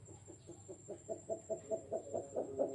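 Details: Bird known locally as Jujuk or Tatapaian: a run of about nine short, hollow, low notes that grow steadily louder toward the end, over a faint steady background hum.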